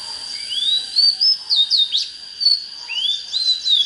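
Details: Oriental magpie-robin song: long upward-sliding whistles mixed with short sharp twisted notes, phrases repeating after brief gaps, with a steady high hum behind.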